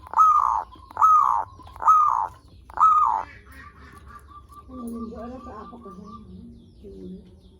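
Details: Zebra dove song used as a lure to draw in and stimulate other zebra doves: four loud arched coos about one per second, then softer wavering cooing and faint background sounds.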